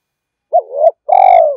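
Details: Spotted dove urging coo used to lure rival doves: a sharp rising note flowing into a wobbling roll, followed after a short break by a sustained, evenly pulsing low coo; nothing else audible.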